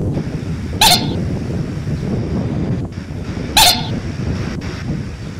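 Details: Common moorhen giving two short, sharp, explosive calls about three seconds apart over a steady low rumble.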